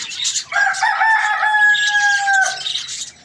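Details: A full morning crow from a rooster: a loud, drawn-out, rich call of about two seconds, level then dipping at the end. Faint high chirps of small birds are heard before and after.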